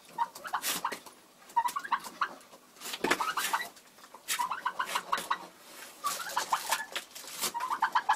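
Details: Bronze turkey hen, described as frustrated and broody, in February: rapid strings of short, piping, tonal clucks in repeated bursts, mixed with dry clattering and scratching sounds.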